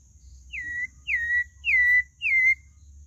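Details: Pale-breasted thrush giving four clear whistles, each sliding down then levelling off, spaced roughly every half second over a faint low rumble.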